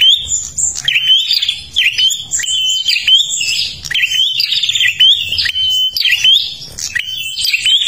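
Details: Kalimantan prinia singing continuously as a lure for other birds: high, busy chattering phrases broken by clear whistled notes held steady, repeating roughly every second with scratchy trills between.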